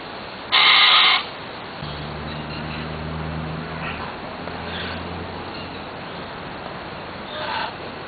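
A Red-and-green macaw gives one loud, harsh, raucous squawk, then a fainter rasping call near the end, over a low engine-like drone.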